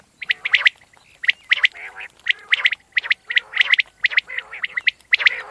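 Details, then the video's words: Common quail (batair) calling: clusters of two or three sharp, clipped notes, followed by softer lower burbling, repeated roughly once a second in an uneven rhythm; no other clear sounds. "Batair ki Awaz , Batair Sound vol 39 , Common Quail Sound 2020 , Common Quail Calling 2020"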